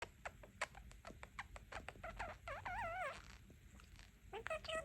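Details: A pet male budgie perched outside his cage, chatting with his owners. He gives rapid warbling chatter with clicks and a wavering, rising-and-falling warble in the middle.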